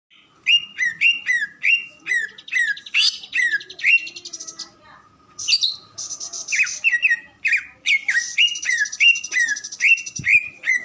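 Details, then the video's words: Greater green leafbird singing: a lively run of sharp, downslurred whistled notes repeated rapidly, broken by fast buzzy trills and higher chattering phrases, in a quiet setting. "Kicauan burung cucak ijo"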